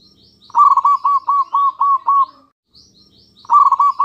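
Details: Local zebra dove singing as a lure so other doves answer: a long, evenly pulsed string of about seven rounded coo notes, then after a short pause a new phrase begins, with faint high chirping behind.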